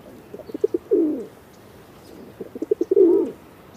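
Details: A pigeon repeats its coo twice, clipped staccato notes swelling into a longer downward throaty coo, roughly two seconds between phrases, faint bird chirps behind.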